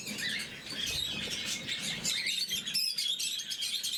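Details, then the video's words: Blue mutation lovebirds feeding in the morning keep up dense high-pitched chirping and squeaky twitters, many birds overlapping, growing louder in the second half. "Попуги неразлучники, утреннее кормление"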